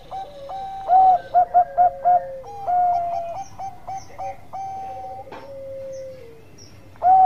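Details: Perkutut Bangkok zebra dove giving a lure song that sets other doves calling at once: a quick burst of short, clear, rounded coos, then longer flat and gently falling hooting notes with overlapping voices, ending on another loud coo.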